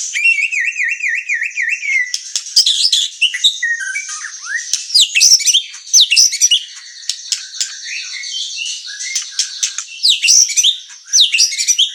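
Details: Vigorously singing white-rumped shama, used to stir up and teach other birds: opens with a wavering, rapidly warbled trill, then a jumble of sharp, varied whistles and chirps.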